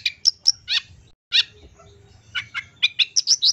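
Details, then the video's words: Pentet lure recording to get birds calling quickly: scattered sharp harsh notes, a pause, then a rising series of short buzzy chips and high whistled notes, over soft low background hum. "Pancingan Suara Pentet Bahan Ombyokan Agar Cepat Bunyi"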